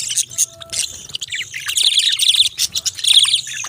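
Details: Budgies giving rapid, buzzy, high chirps and twittering warbles that build into a continuous chattering stream, with a faint steady tone early on.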